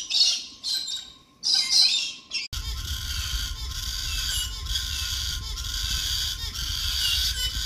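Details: Galah (rose-breasted cockatoo), Alice Springs, giving two harsh, screechy squawks in the first seconds, followed by a broad rushing noise like wind or traffic with faint chatter.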